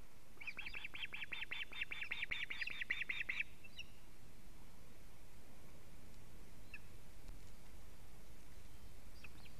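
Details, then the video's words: Osprey at a nest in Latvia, evening of 19 July 2017, alarm calling as the male arrives with a living fish: a rapid run of about a dozen high whistled chirps over three seconds, then quiet with steady background hiss. "Teo brings a living fish- alarm calling"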